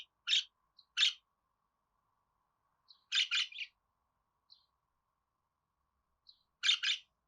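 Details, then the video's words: Budgerigar producing sparse sharp, buzzy chirps, a pair early on, a quick triple in the middle and a final double, with long quiet spells between. "Muhabbet Kuşu Ötme Garantili Kuş Sesi,Muhabbet Kuşu Sesi"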